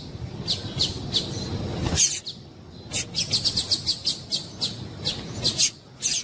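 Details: A female double-collared seedeater gives a quick series of high, thin chirps, about three to four per second, after a brief rush of low background noise; the call is played to stimulate males to sing.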